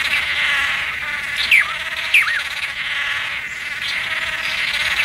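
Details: A swallow-tailed (blue) manakin (Chiroxiphia caudata) in forest during its mating ritual gives two sharp, slurred notes about half a second apart, each dropping quickly in pitch, over a steady hiss of insects.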